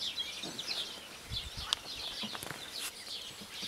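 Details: A Eurasian blackcap (Sylvia atricapilla) sings a soft, scratchy run of quick chirps and warbled notes, high-pitched and continuous, with a few sharper accents and faint outdoor background noise.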